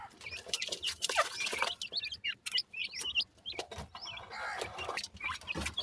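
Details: Playing francolin chicks, called dakhni teetar, utter bursts of thin, high, slurred chirps in quick clusters, interrupted by sharp clicks and rustling noise.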